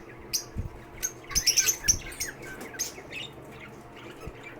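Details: Lovebirds at a bird shelter giving sharp, shrill squeaks and chirps in quick bursts, the loudest around the middle, with quieter gaps and faint knocks between.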